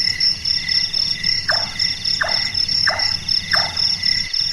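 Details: Four hollow chopping notes from a large-tailed nightjar, evenly spaced about 0.7 seconds apart, the nocturnal call compared to a person at carpentry, over a ringing insect chorus.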